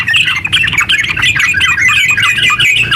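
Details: Yellow-vented bulbul singing eagerly in a long, rapid run used as a lure to set other bulbuls singing. Busy, jumbled, bubbly warbling notes tumble continuously, with a low background hum.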